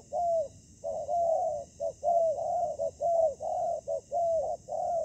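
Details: Spotted dove decoy facing wild fighting birds in ground trapping: mellow coos in alternating short and long notes, the long ones arching slightly downward, repeated steadily over five seconds.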